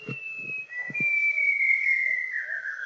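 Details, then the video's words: Young adult male White-browed shama, a shy endemic of Luzon, in Montalban, Rizal, August 2021: one long clear sustained whistle, holding steady then slowly falling at its end, with a few soft low clicks beneath. "White Browed Shama"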